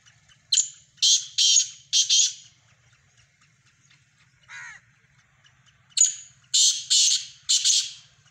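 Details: Black francolin giving its harsh, scratchy call twice, each phrase a rapid series of four or five grating notes, separated by a pause of about three seconds that holds one fainter, lower descending note.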